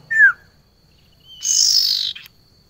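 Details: Female barn owl calling to a male: a short downslurred whistle, then a drawn-out, rasping, hissing screech lasting under a second.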